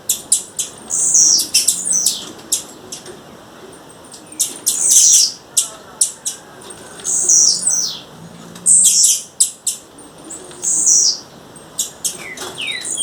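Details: High chirping calls of a female blue-black grassquit in the wild, short squeaky notes and sharp ticks scattered irregularly, with a few brief downslurred whistles toward the end.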